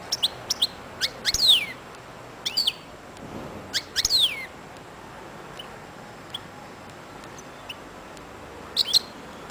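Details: Singing 'royal' European goldfinch, kept as a pairing bird, delivers loud, sharp twittering phrases of rapid chips and sweeping falling whistles in clusters near the start, middle and end, separated by quiet pauses with low background hum.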